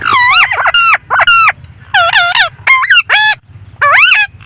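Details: Pet blue Indian ringneck parrot during an evening walk, repeating loud, nasal, harsh squawks in bursts of about half a second, some rising and falling, over faint low background rumble.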